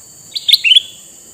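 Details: Red-eyed male sooty-headed bulbul, used to lure wild bulbuls, gives a brief burst of three or four sharp, sweet chirps rising in pitch. A steady high tone continues in the background.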